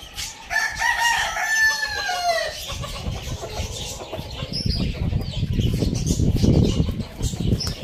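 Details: Morning crow from a rooster, a harmonic call rising and then falling over about two seconds, followed by low rumbling background noise, scattered clucks and faint chirps of other birds.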